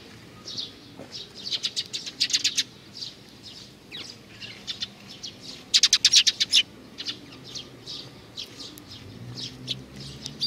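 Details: Juvenile sparrow giving rapid trains of sharp, clicky chirps, two intense bursts of fast repeated notes separated by softer scattered calls, over a low background rumble.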